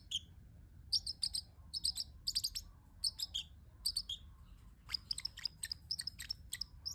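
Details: Steady stream of high sharp chirps from a pet parrotlet making cute sounds, grouped in quick twos and threes, nearly continuous.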